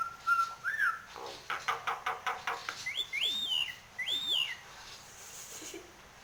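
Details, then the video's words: Nias hill myna in full song, head bobbing: a steady whistle with a rising slur, then a train of harsh, buzzy pulses, followed by two loud arched whistles that rise and fall. "Suara burung Jalak Nias Gacor Mangut manggut Isian Istimewa Teplekan"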